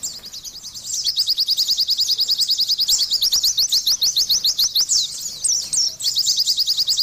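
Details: Oriental white-eye in vigorous gacor singing: a fast, unbroken run of high, sharp chirps, closely stacked and steady, broken by a few higher slurred whistles near the end, with a quiet, faint start.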